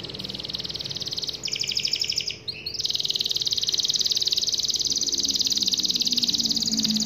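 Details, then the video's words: Long, lively canary song: fast, continuous high trills and buzzy rattles, switching pitch partway through with a brief break, then a sustained rapid trill to the end. "SUARA KENARI GACOR PANJANG"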